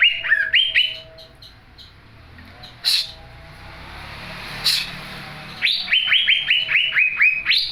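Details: Young greater green leafbird in full song, opening with a stepped whistled phrase, pausing amid faint background hum, then resuming with fast repeated rising whistles.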